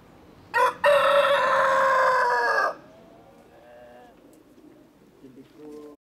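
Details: A rooster gives a short opening note, then one loud, harsh crow of about two seconds, trailing off into fainter clucks from other chickens.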